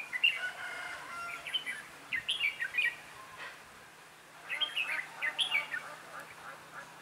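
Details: Trainee decoy red-whiskered bulbul singing to draw wild birds toward a trap, recorded 11/12/2016: lively chirping, whistled phrases of several short notes, a first run, a gap of about a second, then a second run.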